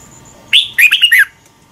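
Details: Red-whiskered bulbul morning song for training, sung as a lure bird. One brisk phrase: a loud rising whistle and then a cluster of bright, bubbling notes falling in pitch.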